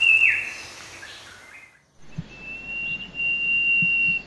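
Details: Common Iora, a very common garden bird found all over Thailand: a short high downslurred note, then after a pause a long, thin, steady high whistle held for about two seconds.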